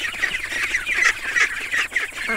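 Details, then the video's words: Ducks with ducklings in a loud, dense chorus of high, bright, rapidly repeated peeping and honking notes overlapping throughout. "Noise of ducks, ducklings"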